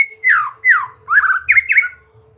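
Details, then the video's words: White-rumped shama song used for relaxed training so a bird will sing freely: four loud, slurred whistles, each sweeping sharply downward, then a pair of quick up-down notes, in a quiet room with a faint low hum. "Latihan santai untuk murai batu AGAR MAU BUNYI dan GACOR"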